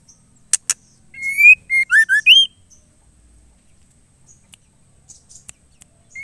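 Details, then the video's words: White-rumped shama female calling the male, meant to stir males to sing: a single brief run of loud whistles, a long rising slur then quick falling and rising notes, preceded by two sharp clicks and followed by quiet. "murai batu betina gacor memanggil JANTAN"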